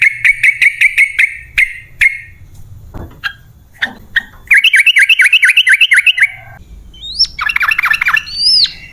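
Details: Sooty-headed bulbul in long rolling 'ropel panjang' song, used as a lure to set caged birds singing: rapid runs of sharp chirped notes, a quick chattering series mid-way, then looping whistled phrases, with faint low hum.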